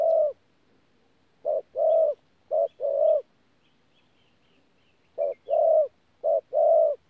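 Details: Spotted dove cooing, a local decoy bird in 'pha gù' style, Tu Mơ Rông, 14 January 2019: short-long pairs of low hollow notes separated by a long pause, faint distant high twitters in the background.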